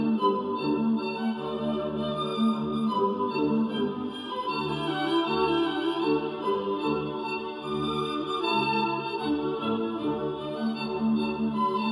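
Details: Sustained organ-like keyboard music fills the whole recording, with no animal calls audible.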